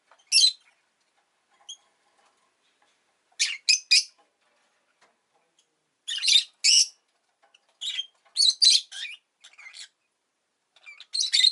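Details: Scratchy, strident calls from a pet rosy-faced lovebird: isolated short chirps, then doubled and tripled bursts of grating high notes with brief pauses between groups.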